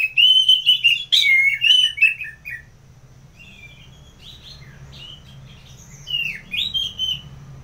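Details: Orange-headed thrush from Bali singing in the ngeplong manner. A dense, loud jumble of rich warbled whistles is followed by scattered, quieter twittering notes, with a faint low hum behind them.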